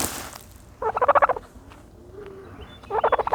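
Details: While bathing in dirt, a turkey gives two rattling gobbles of rapid guttural pulses separated by a quiet gap with a faint low tone, the second gobble cut short.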